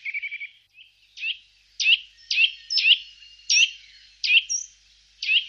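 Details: Eurasian nuthatch, Wittlich valley, Germany, 2018: a short quick trill of piping notes, then sharp emphatic chirps spaced about half a second apart.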